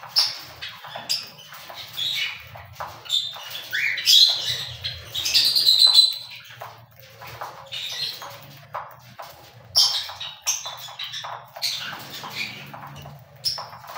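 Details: Cockatiels chattering in busy, irregular bursts of short chirps and scratchy notes, with a louder flurry in the middle, several birds apparently calling together above a faint low hum.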